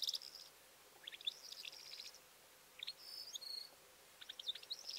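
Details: Calandra lark (Melanocorypha calandra) song in spaced phrases of rapid chirps and rattles mixed with high whistled notes, separated by quiet gaps of about a second.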